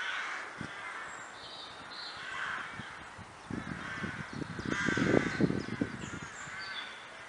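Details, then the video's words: A flock of crows in the Kraaienbos at Vaals giving overlapping coarse caws, with rustling and low thumping noises rising in the second half. "Kraaien - Crows"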